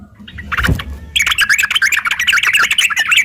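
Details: Sooty-headed bulbul in a fighting bout, used to provoke rivals to sing back: a short low whoosh, then about two seconds of fast, scratchy, tumbling chatter, the notes packed closely together.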